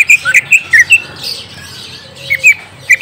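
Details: Green leafbird song meant to lure a young bird: a few loud, sharp chirps and slurred whistles, then a pause with faint background twittering before more chirps.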